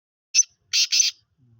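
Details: Five-month-old black francolin calling for the first time: one short sharp note, then two harsh, grating, buzzy notes in quick succession, with a faint low hum at the end.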